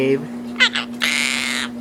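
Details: Household Quaker parrot that imitates words and dogs utters two quick rasping syllables followed by a drawn-out, level, reedy note lasting over half a second, amid a constant electrical hum and owner's speech.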